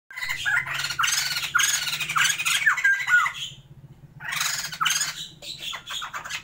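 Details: Captive pair of Sumatran white-crested laughingthrushes in a breeding attempt, giving loud harsh squawking bursts mixed with rising whistled notes, two long outbursts separated by a brief pause, with a low steady hum beneath.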